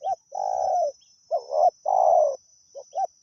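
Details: During decoy luring, a wild spotted dove gives a long, buzzy coo, then a short note and a second long rolling coo, and begins another phrase. A constant faint high hum is also present.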